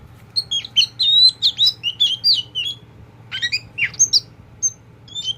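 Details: Oriental magpie-robin, a tame kept kacer poci, delivering bright, varied whistled phrases: high sliding notes and quick chirps in clusters, a short pause midway, then more scattered whistles, against a faint constant electrical hum.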